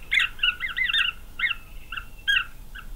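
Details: Green wood hoopoes at a nest with growing chicks, Pretoria, South Africa, November 9, 2023; separate wavering, nasal double-toned calls, some slurred in short runs, others single and spaced, against a quiet background.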